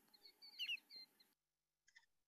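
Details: Short-billed Dowitcher giving its diagnostic laser-gun-like 'pee pee poo' call: a quick run of high, sharp whistled notes within about a second, then a fainter short pair after a pause, over a light hiss.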